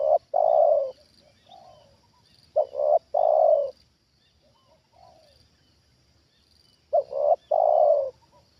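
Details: Spotted dove trained as a decoy, reacting to a wild bird brought down for the second time. Loud double-note coo phrases repeat about every four seconds, with quieter short coos in the pauses.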